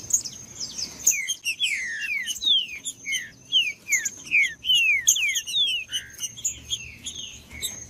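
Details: Green-winged saltator singing to encourage quiet birds: a brisk series of downslurred whistled notes, about two and a half a second, plus a constant faint high-pitched tone.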